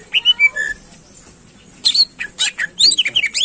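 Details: Greater green leafbird singing to fire up contest birds: opening whistled slurs, a quiet gap, then a burst of sharp chattering notes and rising and falling whistles.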